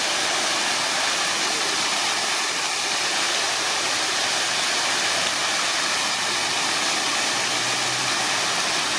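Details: Water rushes steadily from a fountain in a loud, even wash of sound across the whole range, with no breaks and no calls.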